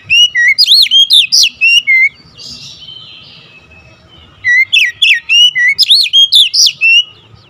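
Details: Oriental magpie-robin in agitated, fierce song, with two long bursts of rapid, loud, swooping whistled notes separated by about two seconds of soft, buzzy twittering.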